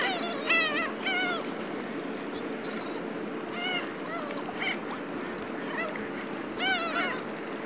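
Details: Several black-tailed gulls give nasal, cat-like mewing calls in short overlapping bursts, over a steady low harbour rumble, with fishing boats at Ito Fishing Port, Tateyama, Chiba, Japan, 16 October 2020.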